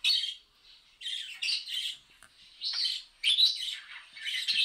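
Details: Budgerigars reacting to a mobile phone recording with continuous buzzy, chirping warble, loud grating bursts alternating with softer twittering over nearly five seconds.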